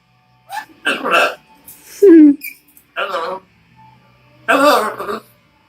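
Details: Talking macaw gives several rough, speech-like syllables in separate bursts. One call has a sharp downward glide and another is a broad, noisy burst. The pauses between them are quiet.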